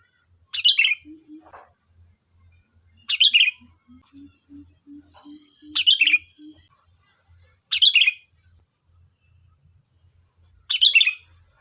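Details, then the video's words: Sooty-headed bulbul singing energetically to lure other birds into replying: five short warbled phrases spaced two to three seconds apart, with a faint series of soft low tonal pips midway and a steady thin high hum. "Suara burung Kutilang Gacor || Ampuh untuk pancingan, dijamin nyaut"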